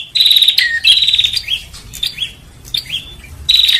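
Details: Bar-winged prinia lure recording for attracting birds: a harsh buzzy rattle opens, then softer rising slurred notes follow, and a loud buzzy burst returns at the end.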